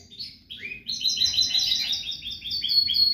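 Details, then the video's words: European goldfinch song, described as error-free and used to teach young birds: clear chirping notes in quick succession over a faint low background hum. "تغريد الحسون الملكي خالي من الاخطاء لتعليم الفراخ"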